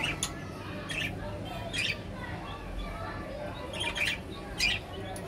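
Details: Budgerigars, known locally as Bajri parrots, uttering short scratchy chirps and squawks in irregular clusters over a low steady hum.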